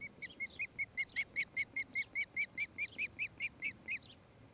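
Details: Osprey near its nest in Charlo, Montana, July; steady series of about fifteen short, rising whistled chirps, evenly spaced, fairly faint over light background hiss.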